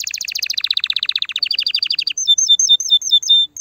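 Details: Canary song played to stimulate mating: fast trills of rapid notes, first descending buzzy sweeps, then a quicker rolling trill, ending in clear slurred whistled notes repeated about three per second.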